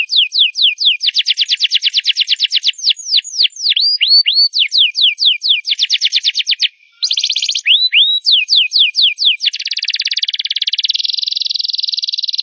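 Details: Canary singing loudly with quick runs of down-slurred whistled notes, curling rising notes, a momentary gap, then a steady high buzzing trill that carries to the end.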